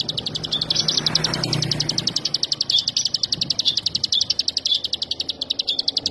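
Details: Olive-backed sunbird singing a fast, even string of high, thin ticking notes that runs without a break, with a soft low rumble underneath during the first two seconds.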